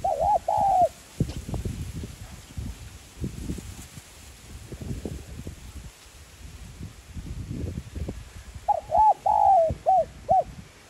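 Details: Spotted dove cooing in the 'giọng son' style, used to rouse decoy birds into calling. One arched coo phrase opens, and after a long stretch of low rustling and wind noise a fuller phrase of looped notes ends in short clipped coos.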